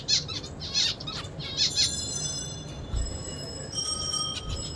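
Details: A zebra finch, singing while eating, gives a rapid run of buzzy, nasal notes and chirps with thin high tones.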